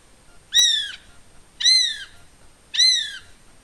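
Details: A male North Island brown kiwi calls at night within 500 m of Russell Wharf, New Zealand, recorded by trail camera: three shrill, slightly falling whistles about one per second over a faint steady high hiss.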